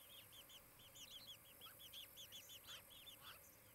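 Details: Osprey calling at its nest in Charlo, Montana, late morning of 23 July 2018. It gives a steady run of arched, whistled chirps, about three per second, with faint lower notes in the background.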